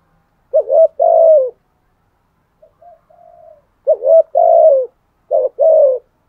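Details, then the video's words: Spotted dove fighting coo, 'thổ' voice style. A quick wobbling note runs into a drawn-out mellow hoot that sags at the end. Three such phrases come, with a soft, faint murmured coo between the first two. "Chim cu gáy gù đấu. tiếng chim cu gáy thúc đấu và gù đấu giọng thổ"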